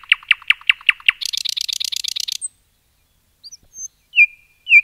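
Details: Nightingale song in forest: rapid repeated sharp notes, then a dense buzzy rattle, a pause with faint high thin notes, and two long whistled notes to finish.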